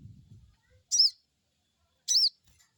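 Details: Crested jay crecet call, a lure meant to make a freshly caught jay answer: two loud, buzzy, arched high chirps about a second apart, after a short low rumble at the start.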